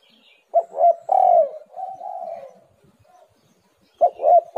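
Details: Spotted dove lure calls meant to stir reluctant birds: two short throaty notes, a loud sustained coo and a softer trailing one, a brief pause, then the phrase starting again with two quick hollow notes.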